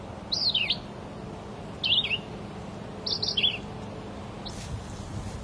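A Red-eyed Vireo sings short, slurred whistled phrases, alternately rising and falling, each set apart by a pause of about a second, over faint background hiss.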